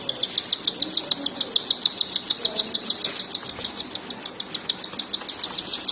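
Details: Cockatiel chicks being fed by their mother give high, thin, rasping begging chirps, repeated rapidly and evenly about three times a second, over a faint background hiss.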